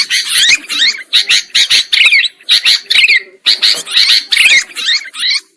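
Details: Sooty-headed bulbul trapping lure: grating, scratchy call bursts in quick succession with looping whistled slurs inside them, briefly pausing near three and a half seconds before continuing.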